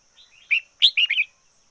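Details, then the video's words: Red-whiskered bulbul used as a decoy, singing a lively phrase of soft lead-in notes followed by four loud, rich whistles rising and falling. "Chim chào mào mồi hót căng lửa nhất 2021. Noog diab qhuaj zoo heev 2021"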